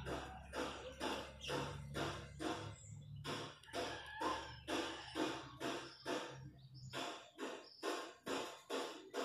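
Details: Chachalacas, wild birds in the countryside, chanting loud raucous notes about twice a second in a fast rhythmic chorus, with a low steady hum under the first half.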